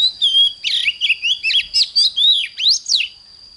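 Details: Oriental magpie-robin singing in the morning, a fiery 'hót căng lửa' style song used to train other birds: a rapid run of rich, varied whistled notes, sweeping up and down, about ten notes in three seconds over a steady high whine.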